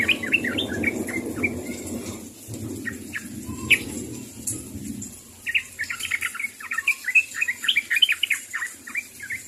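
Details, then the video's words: Yellow-vented bulbul calling to companions: quick bubbly chirps and short warbled notes in loose bursts, pausing midway before a livelier run, with a low rumbling background in the first half. "SUARA BURUNG TRUCUK MEMANGGIL KAWAN | AGAR TRUCUK CEPAT NYAHUT."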